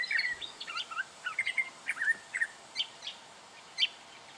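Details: Black honeyeater recorded in Victoria, Australia, in October 2011: a quick run of short chirpy and twittering notes, some sliding up and down, then a few sharper high chips spaced about a second apart, with little background noise.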